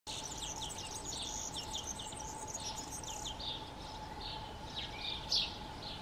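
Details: European serin singing in morning drizzle under grey skies on 15 May 2021; a rapid, high, jingling stream of buzzy notes runs for about three and a half seconds, then fades to sparse chirps over a steady hum and background noise.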